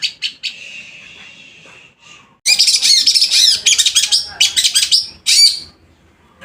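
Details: Loud singing long-tailed shrike, a cage bird ready to perform: a few sharp notes and a thin sustained buzz, then a burst of harsh rapid chattering and scratchy phrases after a short pause.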